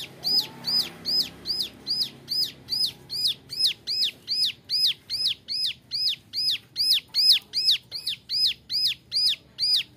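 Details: A young male Bar-winged Prinia sings a long, regular run of high, rounded chirps, roughly two and a half per second, each note rising and falling, offered as a training model for other songbirds.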